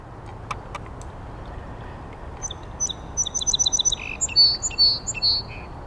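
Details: A Song Sparrow, heard but barely seen, at Tylee Marsh in Rosemère, Quebec, sings a quick phrase: a few thin high notes, a rapid trill, then louder, lower, slurred notes; a few faint clicks come earlier.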